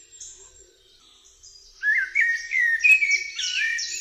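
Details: Eurasian blackbird (Turdus merula) song: after soft high chirps, a rich fluted warble starts at about two seconds, with looping, rising and falling notes, then shrill squeaky twitters layered over it until the end.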